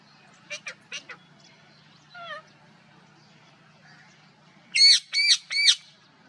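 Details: Soft clicking notes and a short warbling phrase from a parrot, then three loud, grating squawks close together.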